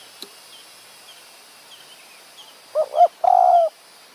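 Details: Spotted dove at a decoy-luring session in high forest near Kanchanaburi, Thailand. Faint high chirps from other small birds come first, then two quick low coo notes run into one drawn-out, steady mellow coo.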